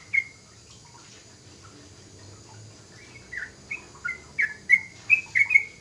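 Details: Young yellow-vented bulbul, just beginning to sing loudly and fluently. One whistled note, then a quiet pause, then a quickening string of bright, slurred whistles over the last few seconds.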